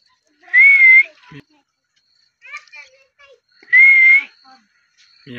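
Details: Green pet parrot, kept as a companion bird, giving two loud, clear whistles that rise and then level off, with brief chattering, speech-like syllables between them in a quiet room.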